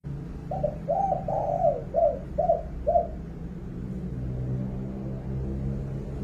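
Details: Spotted dove giving a loud call: a series of six soft, hollow coos, the middle ones longer and run together, spread over about two and a half seconds, then quiet background hum.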